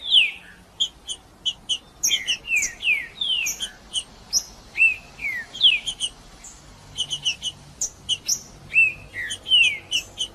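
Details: Green-winged saltator male performing 'macheando' song to heat up another male: ringing downward-sliding whistles come in quick succession, interleaved throughout with short, bright, high chipping notes, with a steady pace across the phrase.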